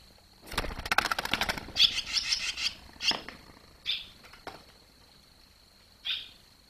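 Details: Barn swallow fledglings leaving the nest, 21 July 2023: a flurry of fluttering wingbeats, then a burst of bright high chirps and a few scattered single twitters.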